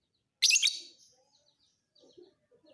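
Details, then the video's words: A fighter lovebird, recorded as masteran material for training other birds, gives one loud, raspy, rapidly broken chirp burst, then faint scattered soft chirps follow. "MASTERAN KICAU BURUNG LOVEBIRD FIGHTER"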